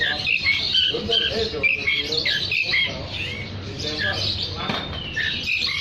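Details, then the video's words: Oriental magpie-robin in full song to attract other magpie-robins: fast, repeated chattering and whistled phrases with rich, layered, harsh notes delivered almost without pause. "Terapi Suara kacer gacor untuk memanggil kacer lain dijamin langsung ikut bunyi"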